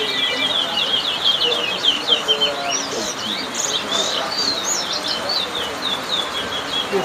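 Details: Towa-towa (chestnut-bellied seed finch) singing at a bird whistling competition at Lusignan, Guyana: rapid, dense run of high chirped and twittering notes, continuous for seven seconds, over a murmur of crowd voices and background noise.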